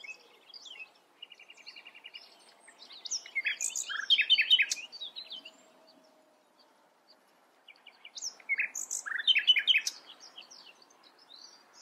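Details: Common nightingale sings two loud bursts of varied, rich phrases mixing whistles, trills and harsh notes, separated by a quiet pause with a short rapid series of soft repeated notes.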